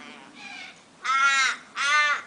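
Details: Flock of corellas, possibly long-billed or short-billed, feeding on olives in backyard trees on a summer morning: two loud, harsh, grating screeches about a second apart, each half a second long, after a fainter, more distant screech.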